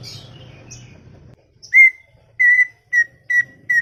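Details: Greater green leafbird chattering: after a low hum fades, a series of clear, steady whistled notes at mid-high pitch, each short and repeated about once every half second.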